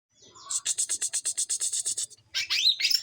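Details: Young Greater green leafbird of the Kuningan type, learning the loud ngeplong song: a fast run of about a dozen very high, evenly spaced piercing notes, four per second, ending in a rising squeaky flourish.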